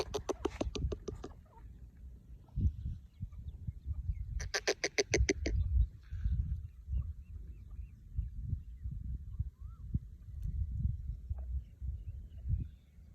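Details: A partridge, filmed with its flight, gives two bursts of rapid, harsh, rattling notes, each about a second long, over steady low rumbling wind or handling noise.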